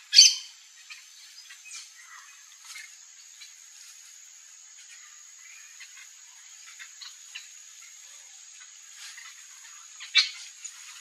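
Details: Yellow-chevroned parakeet (Brotogeris chiriri) among backyard fruit trees. A sharp, shrill screech opens and another comes near the end, with faint scattered chips between and a steady high insect-like hiss throughout.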